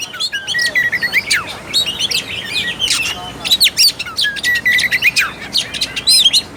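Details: Oriental magpie-robin lure song meant to spark song and aggression in a quiet bird: a varied medley of clear whistles, downslurred notes and quick chirps, some lower, sweeter phrases between sharper ones.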